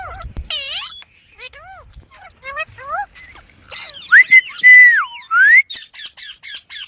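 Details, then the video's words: Pet parrot mixing squeaky chatter and arched nasal syllables with a clear, loud, sustained whistle that rises, holds, dips and rises again, then a rapid string of short clicks. "Parrot Sounds"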